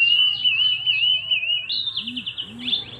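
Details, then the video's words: Male local Javanese wambi mini singing loudly for its small size: a steady wavering whistled warble that breaks into a fast rising trill of repeated notes, with a low background hum. "wambi mini gacor ||| sikecil bersuara besar !!!"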